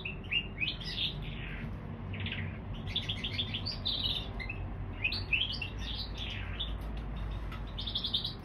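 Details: Canary x bullfinch hybrid singing chirpy warbled phrases with short pauses between bursts, accompanied by a noticeable low rumbling hum.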